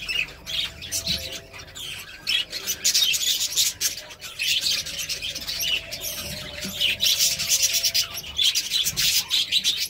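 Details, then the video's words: Female budgerigar caring for her newly hatched chick gives busy, scratchy, high-pitched, harsh chirps and squawks in rapid, irregular bursts, with soft rustling underneath. "best budgie female that take care of her chick"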